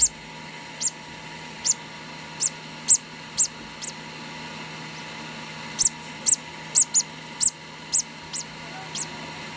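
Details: Two-day-old conure chick being hand-fed, uttering a run of high, thin peeps about every half second, pausing for nearly two seconds, then resuming with a quicker burst of squeaks.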